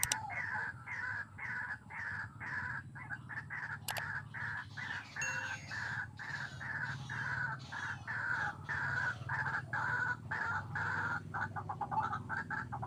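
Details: White-breasted waterhen calling during bird trapping with a hanging snare: a loud, harsh, croaking series of rapid repeated notes, about one per second, running through the whole stretch over low background rumble.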